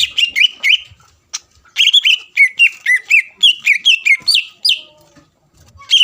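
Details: Greater green leafbird song aimed at triggering a rival: bright whistled notes falling in pitch, repeated rapidly in phrases separated by brief pauses.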